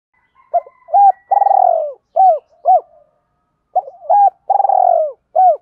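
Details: Spotted dove calls used to train and lure wild birds, clean and loud: two phrases of short hooked coos followed by a longer purring coo, repeated twice with a pause between, no background noise.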